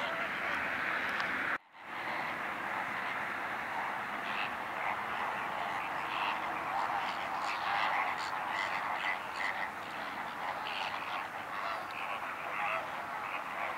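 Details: A large Greater Flamingo flock at Larnaca salt lake, Cyprus, around 31 October–1 November 2014, gabbles continuously: a dense mass of overlapping nasal, goose-like honks and grunts after a brief break near the start.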